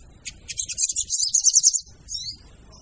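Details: A female sogon call for luring: a brief flurry of high, rattling, buzzy notes lasting about a second and a half, followed by one short descending whistle.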